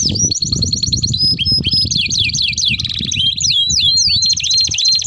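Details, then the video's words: Canary in full song, a long rolling lure and tutor song for young birds: fast repeated high trills and rapid downslurred notes switching between tours, continuous and loud, with low background rumble. "Kenari Gacor Ngerol Panjang Untuk Pancingan || Cocok Untuk Masteran Kenari Paud"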